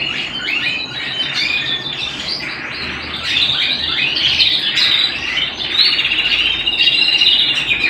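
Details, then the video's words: Canary singing indoors: fast, rhythmic chattering trills repeated in quick succession, building into a busy, buzzy warble that grows louder midway. "canary bird - canary singing - canary sounds - canary singing at home"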